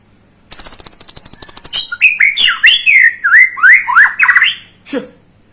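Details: White-rumped shama song used to provoke a young bird to sing: fast buzzy high trill for over a second, then loud varied slurred whistles and swoops, closing with a low falling note.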